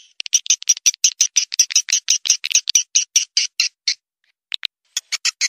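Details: Edible-nest swiftlet call played to lure birds to roost: a steady series of sharp, squeaky chirps, a short silence, then a few more chirps.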